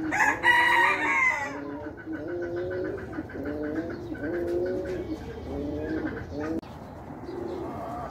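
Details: Ornamental pigeons from a mixed collection of fancy breeds cooing, with a steady run of low, rolling, repeated coos about a second apart; a brief louder higher call at the start, then a continuous murmur of other birds.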